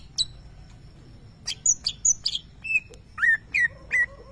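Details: Caged champion greater green leafbird imitating lovebird calls: spaced high whistled notes and downslurred squeaks with brief pauses, followed by a few clipped chirps.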